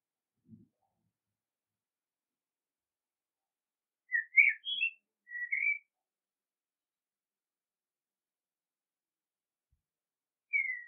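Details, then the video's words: A common blackbird gives one brief phrase of mellow whistled notes with a higher twitter, then after a pause a single falling whistle; otherwise quiet apart from a soft thump. "Blackbird sound, Karabakal Sesi, Kara Tavuk Sesi"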